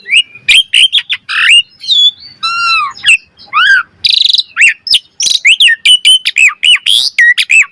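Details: Asian pied starling master song used to train and provoke birds into full, varied singing: rapid mix of clear rising and falling whistles, buzzy bursts and harsh rasping notes in quick succession, with short pauses between phrases.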